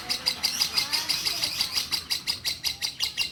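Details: A captive hen orange-bellied leafbird that turned into a constant singer after losing her mate delivers a fast run of sharp, high, evenly pulsed chirps, roughly three each second, in a quiet room.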